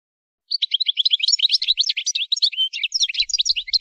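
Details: Energetic, unbroken twittering of a European goldfinch: crowded high chirps and slurred notes tumbling rapidly over about three seconds, with a faint low rumble near the end.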